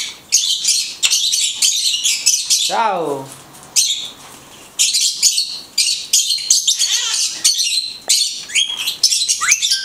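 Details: Blue-headed conure talking: dense, scratchy high chatter in rapid bursts, broken by a drawn-out, voiced, word-like phrase that slides downward, then more buzzy chirps and short rising squeaks.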